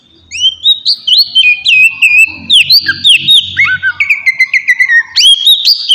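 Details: Oriental magpie-robin singing to provoke a reply from other birds: fast, varied whistles, trills and slurred notes stepping gradually lower, ending with a higher rising phrase; faint low hum underneath.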